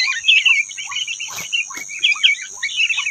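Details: Rufous-tailed robin, a free bird competing with caged ones, delivering warbled high chirping phrases in quick bursts, broken by two sharp clicks, over a faint steady high hum.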